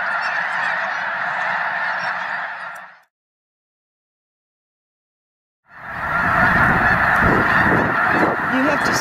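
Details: Snow Geese from a flock of over a million at Loess Bluffs National Wildlife Refuge, 21 February 2020, on a fine day: a dense wall of honking, cut by a silent gap of about three seconds before the clamour resumes, louder and rougher.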